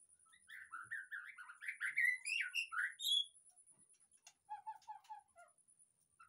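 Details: White-rumped shama song used as a lure to get a silent caged bird to sing: a run of loud, varied whistled and warbled notes, then softer clicks and a series of short, lower chirps.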